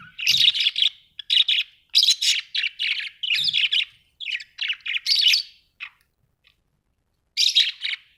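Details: Pet budgies at home chattering in bursts of buzzy, scratchy warbled notes, several rapid phrases separated by short pauses, with a longer silent gap before a final burst.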